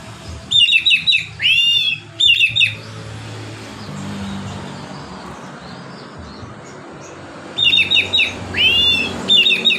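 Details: Oriental magpie-robin giving a relaxed ngeplong song intended to get lazy magpie-robins singing: grouped staccato whistles and a curving slurred note at the start, repeated after a long pause over steady background hiss.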